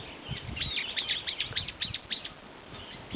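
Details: Brown-eared bulbul giving a rapid run of shrill, high, downward-slurred notes, about six per second, fading toward the end over soft low background noise.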